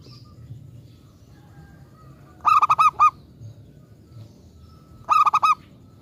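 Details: Local zebra dove in full song, a lure meant to make other zebra doves answer: two bursts of four to five rapid staccato coos, each lasting under a second, about two and a half seconds apart, over a quiet background.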